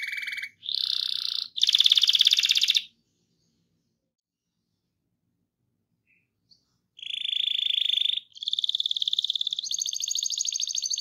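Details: Canary song used to stimulate other canaries to sing, with rolling trills: bursts of buzzy high tours broken by a long silence, then rapid repeated trills rising in pitch.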